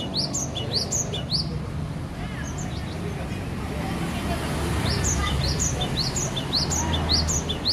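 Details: Cinereous tit from Aceh singing at home, gantang style: bursts of rapid high two-note phrases at the start and again after a pause, separated by faint scattered notes, with low rumbling noise and a murmuring voice.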